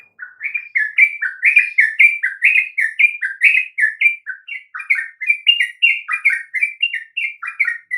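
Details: Sooty-headed bulbul song used to prompt other birds into singing: a steady stream of chirpy, liquid whistled notes, each rising or falling, delivered about once per second with little pause throughout.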